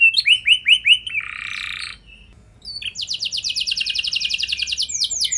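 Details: Singing canary used to trigger long rolling song in other canaries: a few descending whistles, a harsh buzzy note, a short quiet gap, then a rapid sustained trill of high repeated notes.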